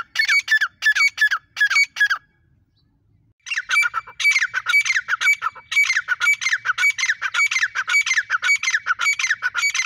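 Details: Female grey francolin calling: harsh, rapidly repeated squawking notes in a steady series, a short burst then a pause, followed by a longer run of the same grating notes.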